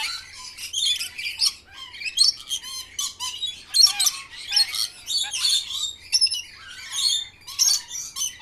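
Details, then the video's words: Parrot at lunch time: a busy mix of squawks, chirps and scratchy chatter, with a faint low hum underneath. "Parrot Lunch Time"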